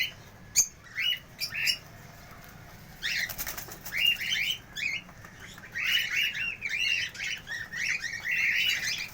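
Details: Cockatiels give repeated sharp, rising chirps, a few isolated notes with clicks at first, then a denser run of overlapping calls through the second half.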